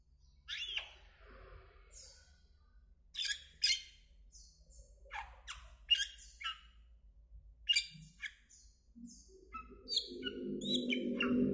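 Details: Asian glossy starling, a greenish black bird, giving a series of short harsh squawks and sharp metallic notes in brief bursts, with a low rumbling noise building toward the end.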